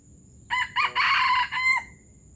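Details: A single crow of a Palembang junglefowl, local style called gerabas: brief opening syllables followed by a loud rasping sustained section and a clipped closing note, clear against low background noise.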